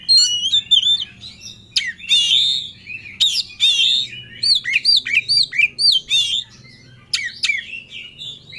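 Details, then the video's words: Oriental magpie-robin, known as kacer, singing hard in a ngobra challenge for a rival. It delivers a fast run of looping whistled notes, each bending down then up, repeated many times with brief gaps. "Kacer Ngobra Cari Lawan || Full Emosi Materi Joss"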